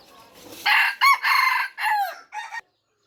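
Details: A clear, close crow from an F3 red junglefowl: a rough first note, a sharp upswept hiccup, a long harsh middle and a falling tail, ending with a short clipped note.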